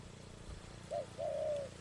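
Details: A spotted dove, recorded at a trapping site, gives one coo phrase: a short soft note, a pause, then a long even hoot.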